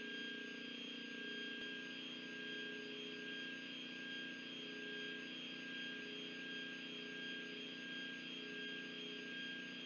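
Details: Constant humming tones over a dull machine-like drone, with one brief click near the start and no animal calls.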